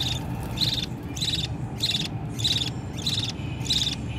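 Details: Budgerigar chicks pleading loudly to be fed by a parent: regular raspy, buzzy calls, about six in four seconds, over a steady low hum.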